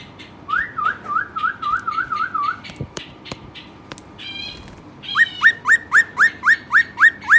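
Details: Caged Western rock nuthatch trilling a wavering whistled warble, then a pause with clicks and a buzzy burst, followed by a steady series of loud rising whistles about four per second.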